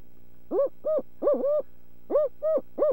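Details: Barred owl calling at dinner time on March 14: a series of short, evenly pitched hoots, three close together, a pause, then three more, with a quiet background.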